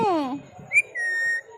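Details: A pet talking rose-ringed (ringneck) parakeet gives a brief, falling, voice-like syllable, then a short rising whistle and a steady, clear whistled note lasting about half a second.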